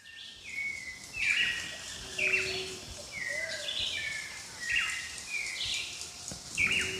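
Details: White-necked thrush (Turdus albicollis) song: short clear whistled phrases, some sliding down, given about once a second, with another bird also calling, faint other birds and forest background behind.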